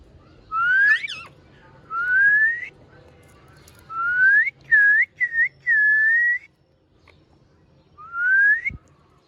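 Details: Pet rose-ringed parakeet speaking clearly, mimicking "Mia Mithu chori khani hai" while someone plays with it: clear, whistle-like rising phrases, about six in nine seconds, over a faint low hum.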